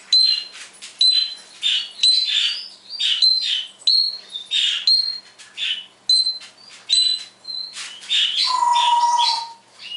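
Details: Pet parrot copying electronic sounds and a canary one morning: crisp repeated high beeping notes, each followed by a rasp, ending in a long steady lower whistle.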